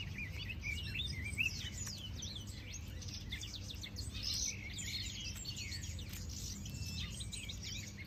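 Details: Many birds call together in a varied chorus of thin whistles, quick upward and downward slurs, and short tweets, over a steady low hum.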